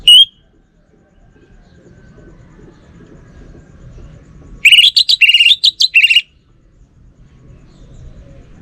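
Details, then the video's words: Orange-headed thrush in Bali: a single sharp whistle, a long pause, then a rapid burst of about eight loud, varied warbled notes lasting over a second, with little background noise. "Burung ANIS MERAH Lansung Nyaut Gacor Tanpa Henti"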